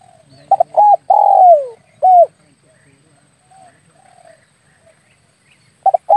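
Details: Spotted dove call played as a hunting lure for air-rifle shooting. A phrase of two quick coos, a long falling coo and a short closing coo, then quiet with faint distant coos before the phrase starts again.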